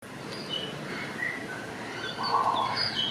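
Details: Grey parrot (Psittacus erithacus) at Tiergarten Schönbrunn zoo whistling: a few short, thin notes at varied pitches, then a longer, lower wavering whistle, over a steady background hiss.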